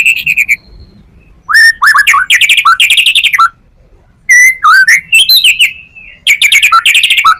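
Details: White-rumped shama song rich in material, used as a lure for other shamas: loud buzzy rattling phrases and short upslurred whistles in bursts separated by quiet gaps, with a sliding clear whistle mid-way.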